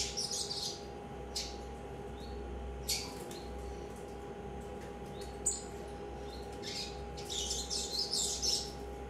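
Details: Young captive Double-collared seedeater, three months old, of the vibro song style, uttering scattered high thin chirps and short twittering bursts at irregular intervals over a steady electrical hum.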